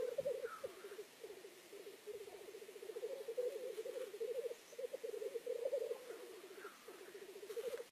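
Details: Black grouse at a lek give a continuous low, bubbling rookoo, pulsing rapidly in long overlapping phrases, with a brief higher wheezy note now and then.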